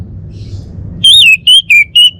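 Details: Male orange-headed thrush from Bali delivers a single loud phrase of four ringing, downward-slurred whistles after a moment of low hum.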